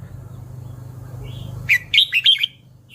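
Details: Red-whiskered bulbul singing one brief burst of four liquid, warbled whistles near the end after a soft opening note, with a low droning hum throughout.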